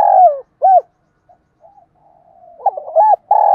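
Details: Spotted dove song with a 'thổ'-style voice, played to stir caged doves into cooing: mellow coos, one ending on a falling drawn-out note, then soft faint murmurs and a rising cluster of hollow coos closing in a long steady coo.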